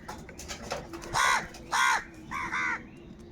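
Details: Huge flock of crows, said to be fighting for food: loud harsh nasal caws, one, a pause, another, then a quick doubled caw, over a faint background of softer calls from other birds in the flock.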